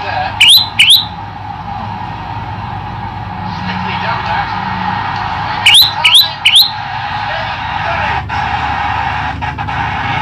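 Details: Male olive-backed tailorbird singing with long pauses: a pair of bright, upward-sweeping whistled notes, then several seconds of background murmur, then three more rising notes, with faint clicks and distant sounds behind.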